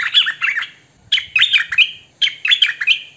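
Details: Hwamei in "thơm mồi" song: three short phrases of clear, liquid whistles with rising and falling slurs and a sustained ringing tone, spaced about a second apart.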